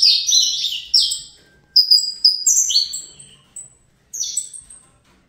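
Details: Captive-bred juvenile Saffron finch, Fibra type: loud buzzy descending chirps, then steady whistled notes and clipped downward slurs in short, spaced phrases.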